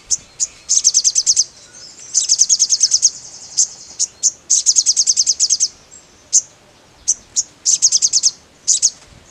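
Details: A mangrove blue flycatcher sings energetically, alternating isolated high thin chips with rapid rattling trills of ten or more sharp notes, each burst lasting about a second, against a quiet background.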